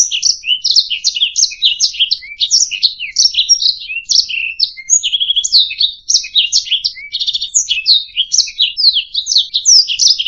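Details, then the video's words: Canary singing a long, rolling warble meant for training songbirds, fast repeated chirps and buzzy trill segments strung together for ten seconds, loud and clear with a quiet background. "SUARA MASTERAN - Ocehan Burung Kenari"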